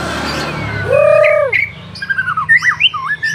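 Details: White-rumped shama, an F4 bird, singing energetically: a loud harsh descending squawk note, then quick whistled phrases with rising and falling slurs, some notes sharply upswept, over low background hum.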